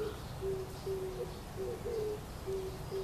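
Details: Oriental turtle dove calling from a tree in Kyoto Gyoen, Japan, in May 2014 amid fresh spring greenery: low, hollow hooting coos in a rhythmic series of short and longer notes, about seven notes in three seconds.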